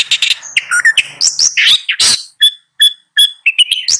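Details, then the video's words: A Long-tailed shrike sings a jumbled medley: rasping slurred notes and squeaky twitters at first, then spaced clear whistled chips repeated about every third of a second. "Long-tailed Shrike Bird Song, Sound, Call, Chirp, Melody"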